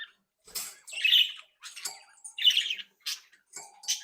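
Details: Active, happy captive budgerigars from a home-bred flock giving scratchy warbled phrases and harsh squawks, roughly one burst per second, indoors.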